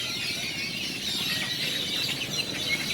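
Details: A flock of grackles fills a town square in Celestún, Mexico, where they were fed each morning; shrill, squealing calls and thin whistled notes pile into a constant high-pitched din.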